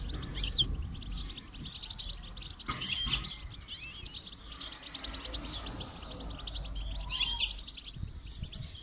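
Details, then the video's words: Goldfinch song recorded during song training: bright twittering phrases and buzzy trills, with louder sharp peaks around the third and seventh seconds, over mild background noise. "Motivational rewards for training goldfinch to song"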